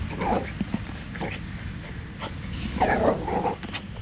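A sulphur-crested cockatoo gives rough, dog-like barks, a short burst at the start and a denser run of gruff yaps near the end, over low background rumble.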